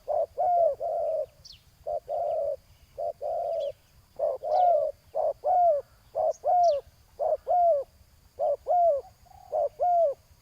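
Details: Spotted dove calls during ground-level decoying, with a decoy bird luring a wild rival. The coos are low and hooted, in short blocks and drawn-out bent notes, repeated about once a second. Faint high chirps from other birds sound in the background.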